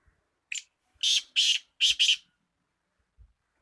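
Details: Black francolin, kept as a pet, giving a harsh, grating call of several short bursts: one brief note, then four loud rasping syllables in quick succession, indoors with no other sounds.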